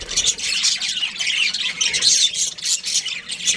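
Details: Budgerigar breeding pair giving rapid, high-pitched chattering chirps, busy and overlapping, with short bursts of squawky notes and a few momentary pauses.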